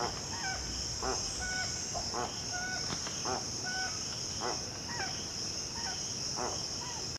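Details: Spix's guan singing in the Amazon, where it is found by lakes and rivers: a steady series of hoarse, pulsed grunts about every half to one second, with short flat whistles and a loud background insect drone.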